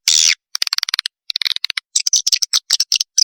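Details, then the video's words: Swiftlet chick lure call: an opening drawn-out hiss gives way to fast, ticking, squeaky chirps in quick rattling runs, then louder buzzy notes. "suara pikat anak burung walet"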